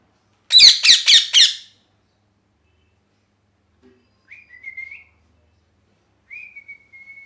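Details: Pet parrot in molt, missing feathers: four harsh, loud screeches in quick succession, then after a pause several soft, short whistled notes at a steady mid-high pitch, with silence between.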